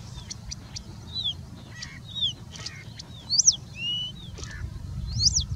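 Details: Singing bush lark in India giving a continuous song full of mimicry of other birds such as Indian Robin, Pied Bushchat, Plain Prinia and Common Woodshrike; scattered high thin whistles and sharp rising-falling notes with pauses, over a low steady background rumble.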